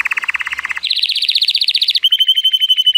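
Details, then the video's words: Male Timbrado Español canary, born 2018 and rated 83 points, singing in sunshine: a low rattling trill steps up to a higher fast roll, then switches to a flat metallic ringing tour, all without pause. "Canary training song"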